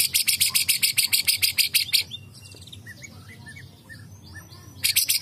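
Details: White-rumped shama, agitated and singing: a two-second run of rapid harsh high-pitched pulses, then faint quiet chirps, then the rattle resumes at the end.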